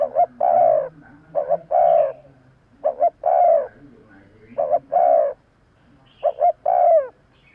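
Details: Spotted dove cooing, used to attract birds to a decoy, five phrases in quick succession, each a soft double note leading into a sustained, mellow coo that drops slightly at the end.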